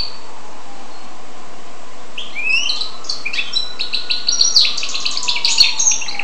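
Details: After about two seconds of quiet, a goldfinch x canary hybrid starts singing, building into a rapid run of bright chirps and twittered trills that grows louder toward the end, with a faint low tone behind it.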